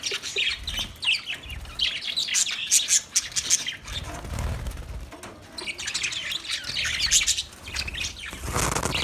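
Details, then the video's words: Budgie singing a long, lively chatter of chirps, warbles and squawks with brief pauses and louder bursts, light low thumps underneath. "Beautiful Budgie Singing Chirping sounds"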